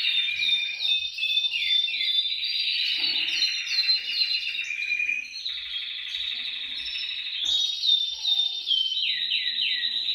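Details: Canary song for prompting other canaries to sing: dense, continuous rolling trills at high pitch, with quick sliding whistles and abrupt shifts in tone every second or two.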